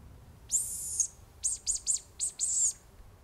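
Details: A female Hazel Grouse gives a thin, very high whistle held for half a second, then a quick run of five short, sharp whistled notes. The female's song is rarely given and is briefer and less high than the male's.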